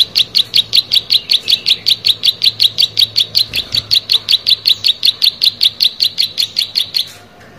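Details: Plain prinia, known locally as prenjak sawah, singing gacor: a long, steady run of sharp, buzzy high notes, about four each second, kept up for seven seconds before stopping abruptly.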